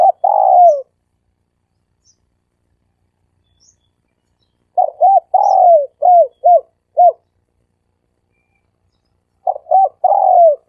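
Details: Dove call in the 'sam kuk' style, used as a lure: a long falling coo, a pause, then a phrase of five arched coos led by a drawn-out sliding note, and a third phrase starting near the end.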